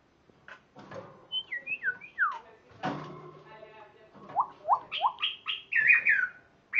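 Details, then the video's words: A Spotted morning-thrush (Cichladusa guttata) sings a varied run of rich whistled phrases, short downslurred notes in quick bursts, with a harsher rattling passage partway through. "Spotted morning-thrush palm-thrush palmlijster tropfenrötel cichladuse tachetée Cichladusa guttata"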